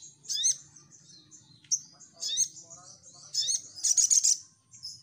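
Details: Lure song of a crimson sunbird, meant to make other sunbirds answer. Sharp high chirps and a rising whistle are followed by a fast, shrill stuttering trill near the end.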